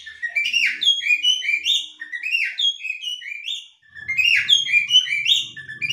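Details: Female Oriental magpie-robin in ngobra mode, a call used to set off a male's calling, pouring out loud, clear whistled phrases of sweeping rising and falling notes, nearly continuous with one brief pause midway and a faint low hum after.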